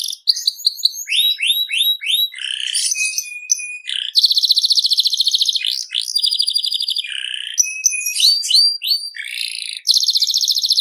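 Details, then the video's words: Canary of the FI series in continuous song: groups of upswept chirps, flat whistles, extended buzzing trills and lower rolling notes, loud and clear throughout. "BURUNG KENARI SERI FI GACOR"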